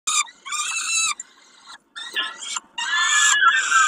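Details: Peregrine falcon at Kawęczyn, Poland, around a snack on 20 May 2022: harsh, nasal, harmonic-rich calls in short bursts with brief pauses, the last notes longer and wailing.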